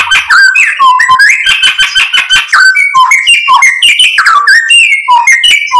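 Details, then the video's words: White-rumped shama singing loudly as a lure to provoke another bird into song; rapid, varied phrases of clear whistles, swooping slurs and scratchy chips run together without a break. "PANCINGAN MURAI BATU biar EMOSI jadi NYAUT BUNYI GACOR BONGKAR ISIAN"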